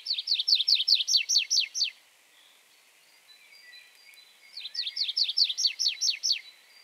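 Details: Tree Pipit song: two bursts of about a dozen quick, sharply down-slurred high notes in steady rhythm, each phrase lasting about two seconds with a short quiet gap between, over faint background noise.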